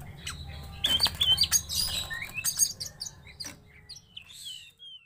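Greater Green Leafbird giving a fast, varied burst of sharp whistles, chirps and high trills, shifting pitch quickly; a low hum runs underneath.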